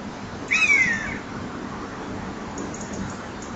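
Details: Near a nest-box camera microphone, evening of 28 September 2011, a common buzzard gives one short, plaintive, falling mew, followed by continuous low hiss and faint background noise.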